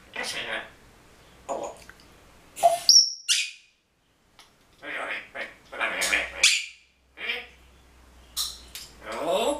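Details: Pet female grey parrot, a red-tailed grey, imitating words and phrases from her large repertoire: scattered speech-like syllables, a sharp high whistle, and pauses between utterances.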